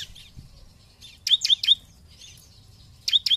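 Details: Bar-winged prinia lure song meant to set rivals singing: after soft high twitters, two tight clusters of three and two sharp, bright high chirps, separated by a quiet pause.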